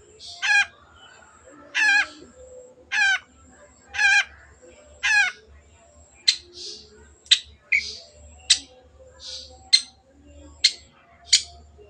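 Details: Long-tailed shrike used as a lure to start silent birds singing: five buzzy, ladder-like rattling notes about a second apart, followed by a run of thin, sharp, clicking calls, with a low hum throughout.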